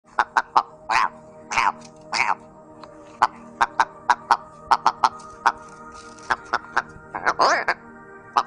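Partridge giving harsh, rasping bursts between quick, sharp clicking notes, irregularly repeated, over a steady humming drone that may be background music.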